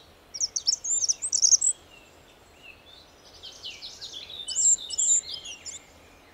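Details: Spotted flycatcher, a forest bird of Russia, gives thin, very high, squeaky notes in two quick scratchy bursts a few seconds apart, over faint background hiss.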